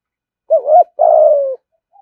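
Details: One two-part coo of a spotted dove in 'thúc gù' style, used to draw doves to a fighting perch: a short wavering rising note, then a longer steady coo sloping gently downward.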